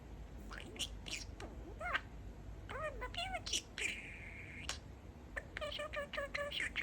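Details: Talking pet budgerigar, a male, chatting and saying 'Peek-e-boo' instead of his usual 'Peeka-boo'; squeaky voice-like syllables, arching chirps and a sustained level whistled note midway, then clipped repeated notes.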